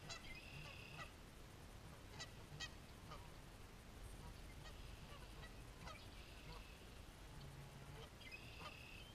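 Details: Fighting geese calling amid outdoor hiss: scattered short, harsh honks through the clip, some in quick pairs, with a faint higher tonal chirping from another bird in the background.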